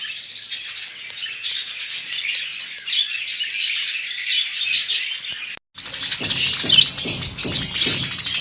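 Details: A flock of about 300 budgerigars chatters nonstop with densely overlapping high twitters and chirps. After a brief break it turns louder, with low thumps like wing flutter.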